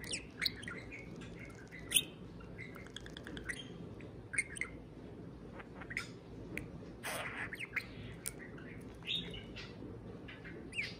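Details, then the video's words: A pet talking parakeet (budgie) warbles indoors in quick, scattered chirps and squeaky bursts, high and irregular, over a steady low indoor hum. "Pixel the Parakeet Talks + Kiwi serenades a can of beer"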